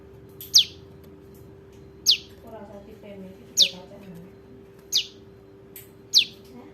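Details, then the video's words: Young bar-winged prinia calls as a lure for trapping birds: five sharp, high downslurred chips spaced roughly every one and a half seconds, with faint voices and a steady low hum beneath. "SUARA PRENJAK LUMUT [ ANAKAN ] AMPUH UNTUK PIKAT"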